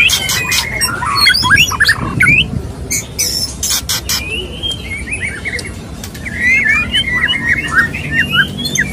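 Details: Courting male white-rumped shama singing to a female: an opening burst of harsh clicks and chatter, then clear upslurred whistles and quick twittering notes that run through to the end.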